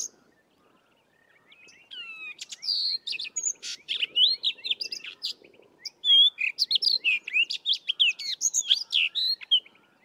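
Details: Long, rambling, melodious song of a Sabota lark in the southern Karoo, a brilliant mimic that copies little here; a continuous run of quick whistles, chirps, trills and slurred notes after a quiet start.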